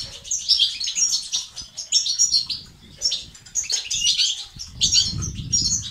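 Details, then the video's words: European goldfinch, used to stimulate males to sing, giving tinkling twitters and thin whistled slurs in bursts separated by brief pauses, with some low rumbling. "أقوى بتبتة وستستات للتحفيز الدكور الحسون وتساعده في زيادة النشاط وتحفيزهم على تغريد وعلاج صمت حسون"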